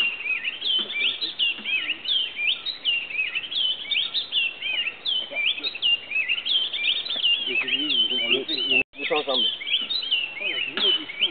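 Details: Oriole warbler (Hypergerus atriceps) at Grand Popo, Benin, giving a dense stream of bright, liquid whistled notes, many rising or looping, barely pausing; fainter low warbling sounds come in near the end.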